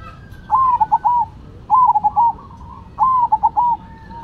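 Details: Cemani and Silver zebra doves in a singing match: three evenly spaced phrases, each opening with a stretched, bending coo and ending in two or three quick clipped notes, all at a steady mid pitch over faint low rumble.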